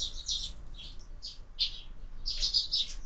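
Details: Sparrows at a feeder fixed to a window, year-round feeding; a few sharp chirps in separate bursts, then a denser cluster of high twittering notes near the end.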